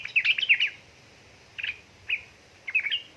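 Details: Yellow-vented bulbul female calling a male, played to encourage idle birds to sing; one bright chattering burst followed by three brief, separated chirps.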